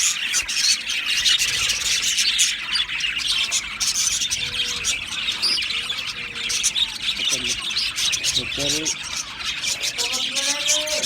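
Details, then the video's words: Flock of Australian budgies in steady high-pitched twittering chatter, with short whistled notes and quick rising and falling squeaks toward the end. "Beautiful Budgies chirping Sounds"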